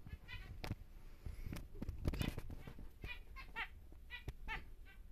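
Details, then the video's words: Big normal grey zebra finch male in captivity, bursts of stacked nasal beeps clustering toward the end, with sharp clicks and low background hum throughout. "BİG Zebra Finch (NG) Normal Gri Male"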